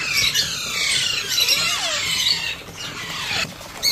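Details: Alexandrine parakeet chick calling during hand feeding, a dense run of harsh, high squealing cries with falling notes, continuous for about two and a half seconds and then fading to brief squeaks.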